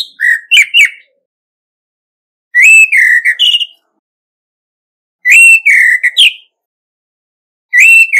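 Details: Orange-headed thrush used as a decoy, singing competitively: loud, clear whistled phrases of rising and falling slurs about a second long, repeated roughly every two and a half seconds with silent gaps.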